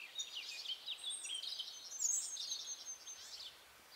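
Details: European goldfinch near La Croix-Tasset in Brittany, France, June 2012, giving a continuous high jangling twitter of quick chirps and short trills throughout.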